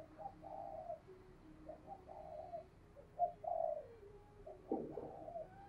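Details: Captive spotted dove used as a lure, calling briskly to stir wild birds: a series of soft, mellow, slightly slurred coos repeated roughly every second, a sharper louder note near the end, over background noise.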